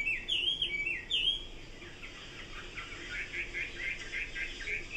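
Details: Chinese hwamei song: loud rising-falling whistled slurs in the first second and a half, then softer rapid warbled notes and quick repeated trills continuing to the end.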